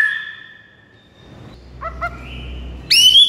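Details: White-rumped shama, recorded to coax a silent shama into song: a long steady whistle fading out, two short doubled notes, a soft rising tone, then a loud high upswept whistle at the end.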